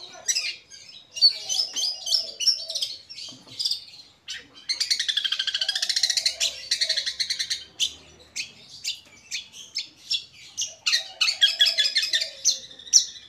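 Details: Long-tailed shrike of the Madura type, a kept songbird shown as an example of the authentic Madura form: a varied, chattering song of quick sharp high notes and harsh buzzy bursts, with a few lower warbled phrases between them.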